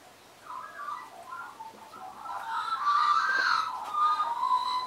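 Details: Australian magpies, regulars that visited and sang to a person in 2015 while perching on an arm and knee, give a soft, distant-sounding gurgling warble over a hissy background, building to fluty whistled notes near the end.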